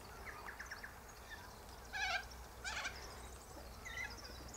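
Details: Sulphur-crested cockatoos gathered high in a silky oak tree, eating seeds from its pods. Two harsh, grating screeches sound a second apart, with faint chirps from other birds and steady background noise around them.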